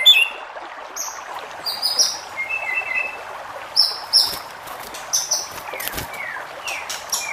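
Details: White-rumped shama song, used to provoke other shamas into singing: scattered clear whistled notes and short high bursts, some falling slurs, spaced irregularly over a faint hissy background.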